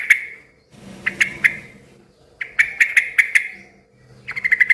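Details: Yellow-vented bulbul singing noisily, said to make other bulbuls join in; phrases of three to six sharp, clipped notes repeated after brief pauses, the last run quicker.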